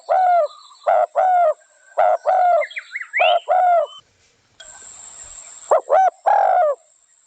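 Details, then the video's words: Spotted dove giving low, hollow coos in short repeated phrases, each a quick pair of notes followed by a longer drawn-out coo, with a brief burst of faint hiss in the middle. "Spotted dove sound original"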